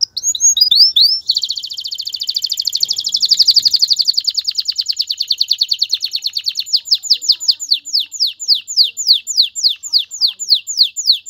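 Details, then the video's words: Male canary urging a female toward mating and nest building, singing a sustained high rolling trill that gradually slows into a steady series of distinct sharp repeated notes, about four per second. "اقوى تغريد ذكر الكناري لتجهيز انثى الكناري للتزاوج و تحفّزها على بناء العش"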